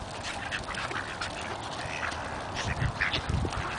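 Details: Hungry Buff Orpington ducks, including two drakes, in a feeding frenzy give a busy jumble of short, nasal quacks and chatter, several birds calling over each other with splashing and bill noise as one bites the camera.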